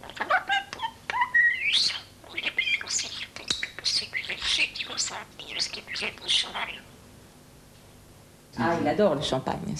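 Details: A young pet common starling in Corsica that talks and whistles La Marseillaise mimics indoors in a rapid jumble of whistles, rising glides, chirps and speech-like babble, broken by a short pause, with a person's voice nearby.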